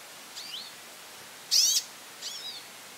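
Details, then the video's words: Goldfinch calling a lot: a soft rising and falling whistled note, then a loud, bright, high burst, then another softer descending sweep, over light background hiss. "pintassilgo chamando muito"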